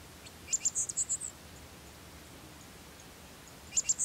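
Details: Black-masked finch (Coryphaspiza melanotis) in Pompéu, Minas Gerais, Brazil: a quick run of about six very high, thin, insect-like notes, a few more starting near the end, over quiet hiss.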